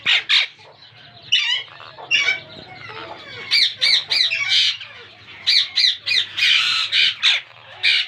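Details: Pet pair of monk (Quaker) parakeets in their first breeding season, trying to talk and getting along well, give harsh, grating squawks and chattering notes in rapid, uneven bursts.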